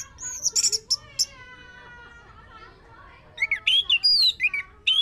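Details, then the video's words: Orange-headed thrush song played as a lure to get another bird singing: bright high chirps and slurred whistles at the start, a quieter stretch of drawn-out tonal notes, then a burst of rapid sharp notes near the end. "Pancingan anis merah biar bunyi"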